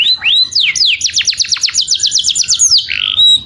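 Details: Canary calling to its companion with a clear voice: opening upslurred whistles, then a quick series of steep descending notes about ten per second, ending in a smooth sustained whistle.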